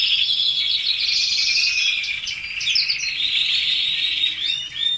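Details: Caged red canaries deliver a steady rush of rapid rolling trills and chattering notes, high and unbroken, ending in a few clear whistled upslurs.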